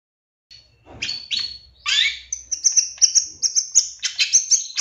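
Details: Long-tailed shrike lure song, used to make another shrike answer quickly and become agitated; a champion bird from 2023. Harsh rasping bursts give way to a quick run of high, sharp chirps repeated about every quarter second.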